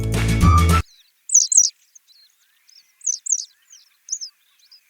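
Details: A Western Yellow Wagtail, a migrant to Sri Lanka, gives thin, high, slurred chirps, often in quick pairs, about one a second. A brief burst of music comes first.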